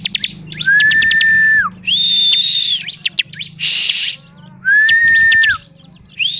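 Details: A ciblek, or bar-winged prinia, in full energetic song alternates low, level whistles that drop at the end with rough, high buzzing bursts and quick clicking runs, all loud and close.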